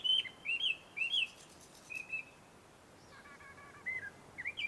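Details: Wild Chinese hwamei at a shaded Tenmangu shrine in Joso, Ibaraki, Japan. A few loud whistled phrases are followed by a quieter spell, and then more slurred whistles at the end.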